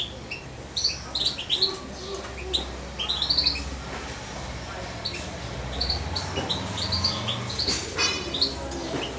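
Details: European goldfinch fledgling of about two months, raised by syringe feeding, keeps up sharp high chirps and squeaky twitters in loose bursts, with occasional rustling and faint background noise.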